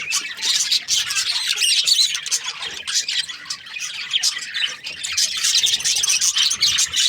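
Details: Australian budgies squawk and chirp in a restless, uneven chorus of harsh notes and clipped tweets, swelling and dipping in loudness.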